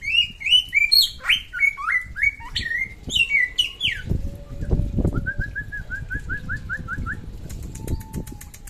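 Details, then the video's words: Samyong from NTB singing: rapid stepped whistled phrases at first, then a run of short evenly spaced whistles and a faint high rattling series near the end, over low background noise. "SAMYONG NTB GACOR SUARA MANTAP"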